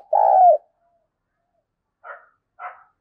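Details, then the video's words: Spotted dove calling as a lure, in the 'thúc bổi' style: one loud, low, rolling coo that dips at its end, followed after a pause by two short, softer, muffled notes. "tiếng cu gáy gọi mồi và thúc bổi sung"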